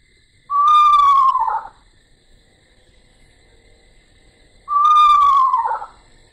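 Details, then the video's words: Eastern Screech-Owl, a small owl of Ohio, giving two clear, wavering whistles about four seconds apart; each holds steady, then slides downward and breaks off at the end. "this is the sound of an Eastern screech owl if you haven't heard them it's a pretty interesting call"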